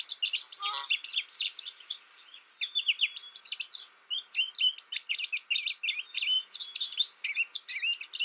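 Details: Caged young American goldfinch, raised alone through its first year and learning from a tutor recording without other birds, sings a fast high twittering run of chirps and slurred notes, with a brief low buzzy sound near the start.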